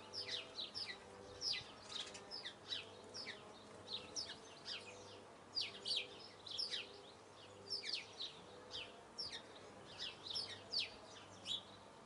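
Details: Eurasian blue tit song, busy and continuous: many quick high twittering and trilled notes packed close together throughout, with steady low background hum.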